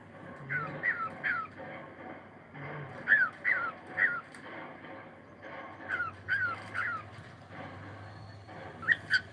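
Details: Morning song of a cockatiel: repeated bursts of three or four clear upward-sweeping whistles, groups roughly every one and a half seconds across the recording, with a low droning hum beneath some phrases.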